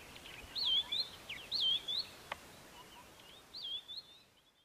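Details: White-browed scrub robin, Kap River Nature Reserve near Port Alfred, April 2019: a run of high, looping whistled phrases repeated about once a second, one sharp click midway, the last phrase fainter as the sound fades out.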